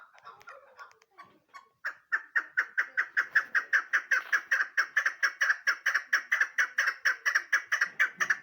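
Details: Female chukar partridge, keklik, giving a loud rhythmic call. A few scattered notes open into an even string of sharp, clipped chuk syllables, about two per second, held steadily to the end.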